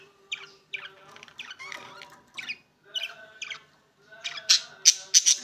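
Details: Opaline green and opaline blue budgies calling with clipped, harsh squawks and chirps repeated several times a second, building toward louder, piercing notes at the end.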